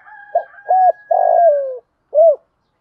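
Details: Spotted dove in 'thúc gù' lure cooing for decoy training: after a faint steady tonal hum, a single phrase of two short coos, a long vibrating coo that drops in pitch, and a rounded final coo.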